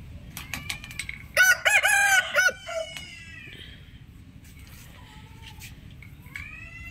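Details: Rooster giving a single loud harsh crow with stacked harmonics lasting about one second, preceded by brief clicks and followed by faint higher chirps and a low constant background hum.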